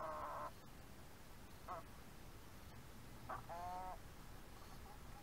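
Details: Young backyard hens, around four months old, feeding on rice in the early morning; short harmonic calls, a brief one at the start, a quick note mid-way, then a longer wavering call, over low background hiss.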